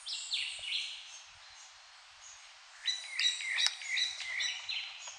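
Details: Red-legged thrush of the Puerto Rican subspecies giving bright, chirping notes that slide between high and mid pitch, in quick bursts of two or three at a time, over a soft outdoor hiss.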